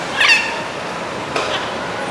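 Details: Blue-and-yellow macaws in the Los Palos Grandes neighbourhood of Caracas, Venezuela, on 21 July 2012: one harsh, raspy squawk near the start and a second rough call about a second later, over steady urban background noise.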